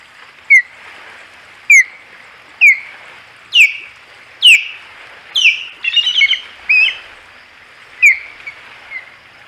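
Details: Ospreys at the Hog Island nest, three birds, 15 August 2020: loud, sharp, downslurred whistled calls repeated roughly every second, broken by a brief burst of faster chattering notes.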